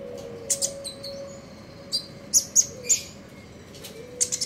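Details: Morning trotol ngeriwik singing of a common iora: a few thin, high chips and short clusters of quick notes, with a faint steady hum underneath.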